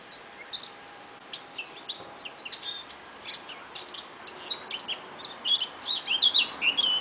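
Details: A small wild bird recorded live giving tiny, high, thin chirps and short twittering notes, at first sparse, then quickening into a rapid, louder series of squeaky whistles over a steady background hiss.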